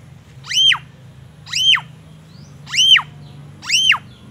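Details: Caged Black-naped oriole singing shama-style fill-in phrases during morning care: a sharp, arched whistled note that rises and falls, repeated about once a second, four times. A steady low hum runs underneath.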